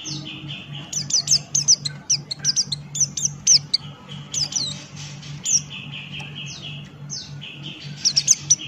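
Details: Lively ngalas-style song of a male Buxton's white-eye: a long, rapid stream of shrill, high descending whistles and chips with brief softer stretches, steady low drone in the background.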